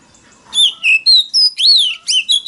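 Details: Short loud phrase of Oriental magpie-robin lure song for competitive singing: a handful of long, pure whistles, some steady, some arching up and down, sharply separated.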